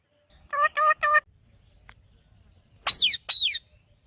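Alexandrine parakeet giving three quick nasal, honking notes, then two loud, harsh screeches, all in a quiet background.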